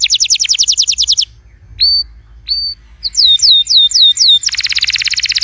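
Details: Song of a canary, played so a silent canary starts singing: a rapid trill of falling notes, sparse bent whistles, a string of swooping slurred notes, then a fast buzzy rattle.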